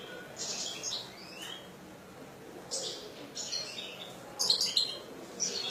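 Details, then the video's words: Caged European goldfinch giving scattered, fairly quiet bursts of high twittering and buzzy notes separated by brief pauses, the final burst the loudest. "حسون رقم 2"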